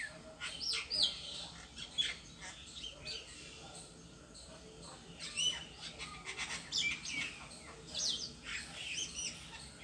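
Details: A bird sitting alone on a tree gives scattered short, high, sharp chirps and quick downslurred notes at irregular intervals over steady background hiss, with faint voices.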